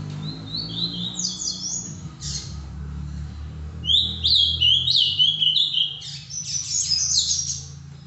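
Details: Live Ultramarine grosbeak performing the Paraná vinte vinte song style: short whistled phrases at first, then a loud fast run of sweeping, slurred whistles in the middle, with a steady low droning hum underneath throughout.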